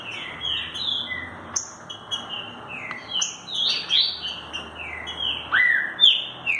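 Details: Green-winged saltator (Saltator similis), song.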